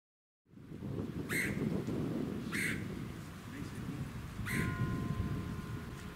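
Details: A red-headed woodpecker (Melanerpes erythrocephalus) at Ludington, Michigan, USA, in June 2019 gives three harsh, raspy calls a second or two apart over heavy wind rumble, with suburban noises and birdsong around.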